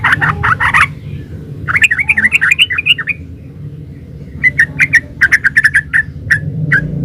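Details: Yellow-vented bulbul in energetic 'gacor ropel uplik' style, used as a master song to prompt other bulbuls to answer: bubbly, liquid warbled phrases, a fast rolling burst, then a string of short sharp chirps with low background hum.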